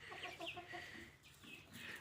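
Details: Newly acquired dakhni teetar, a grey francolin, giving a brief burst of rapid clucking and chattering notes followed by a few higher-pitched squeaky calls, with faint background hum throughout.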